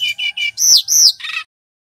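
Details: Male brown-chested jungle flycatcher singing loud and clear: three quick identical chirps, then two long slurred whistles falling at the end, closing with a brief buzzy note.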